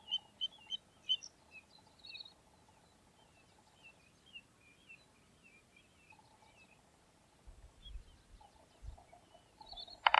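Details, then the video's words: Little ringed plover calling: a quick cluster of short, high, clear whistled notes at the start, then scattered fainter chirps against a steady low hum, with a sharper burst at the very end. "Little Ringed Plover Call"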